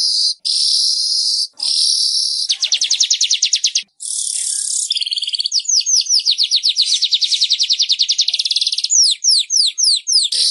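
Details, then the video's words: Weaver song played to coax caged pet birds that have stopped singing: long sizzling buzzy hisses alternate with fast runs of sharp descending ticks and chattering notes, ending in spaced downward-sweeping whistles. "SUARA BURUNG MANYAR"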